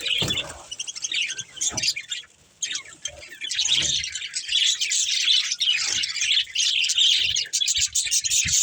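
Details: Playing budgies from one family keep up a rapid, overlapping twitter of bright chirps, sparse and broken by a few knocks at first, then swelling into steady, dense chatter from about the fourth second.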